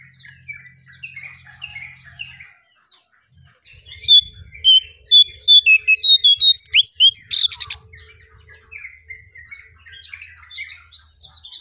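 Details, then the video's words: Striped tit-babbler song used as a lure recording: soft twittering, a short pause, then a loud run of clipped, whistled notes repeated at a quick steady pace, fading back into faint chatter over a low hum. "𝙋𝙖𝙣𝙘𝙞𝙣𝙜𝙖𝙣 𝙟𝙤𝙣𝙜𝙠𝙖𝙣𝙜𝙖𝙣 𝙥𝙖𝙡𝙞𝙣𝙜 𝙙𝙞𝙘𝙖𝙧𝙞"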